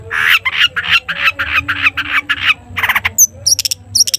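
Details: Long-tailed shrike recorded to prompt other shrikes to sing: a run of harsh buzzy rasping notes repeated about five times a second, followed by thin high piercing notes.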